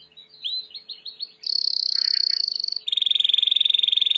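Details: White Timbrado canary in training song: a few swooping slurred notes, then a loud high steady trill and a second, slightly lower rapid rolling trill.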